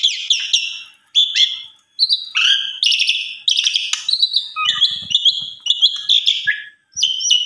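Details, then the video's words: Asian pied starling song used as a training model for other starlings: a busy medley of short whistles, buzzy notes and chirps, with brief pauses near one and two seconds. "Pancingan Suara Burung Jalak Suren BONGKAR ISIAN Suara Istimewa Cocok Buat Masteran Jalak Lain"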